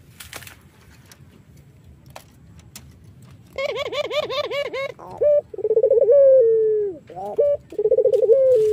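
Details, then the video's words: Irak-type collared dove, a variety whose song is used as a lure for other doves. Indoors, after quiet knocks, a rapid bubbling trill of coos runs into short notes and long, smooth, slightly falling coos. "BURUNG PUTER IRAK GACOR MERDU"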